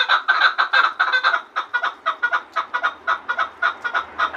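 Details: Chukar partridge from Gharm calling with a rhythmic run of hoarse, clucking notes, several per second, uneven in spacing, with a faint low rumble near the end.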